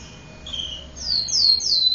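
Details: Domestic canary singing: a soft whistled note followed by three quick, loud downward-sweeping whistles.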